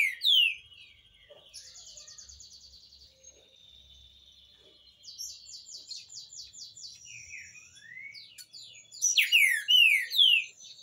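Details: Green-winged saltator song used to teach young birds: buzzy, rapidly pulsed trills through the middle, framed by loud, sharply falling slurred whistles at the start and a burst of them near the end.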